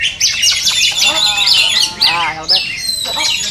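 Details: Greater green leafbird, cucak ijo, in a contest simulation for training the bird to be fierce when hung on the pole; loud, varied chattering trills and sweeping whistles densely overlapped by other birds.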